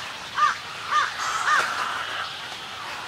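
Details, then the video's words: Snowy egret giving colony and greeting calls: three hoarse, nasal 'aah' notes about half a second apart, the last slurring into a longer rasp, then softer background croaking. "Snowy Egret. MCU-CU Colony Calls And Greeting Calls, Wingbeats And Calls From Ch"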